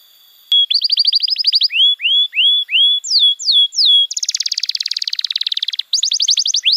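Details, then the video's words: Canary pancingan and masteran song for young birds: a fast trill, then looping rising-falling whistles, a long dense buzzing roll, and a final burst of quick trilled notes. "Masteran Kenari PAUD & Pancingan Kenari MACET BUNYI"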